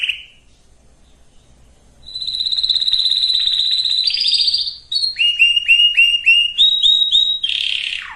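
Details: Canary song played to get males and females ready for breeding; after a short pause comes a long buzzy trill, then a run of clear rising whistled notes repeated about twice a second, ending in a harsh burst.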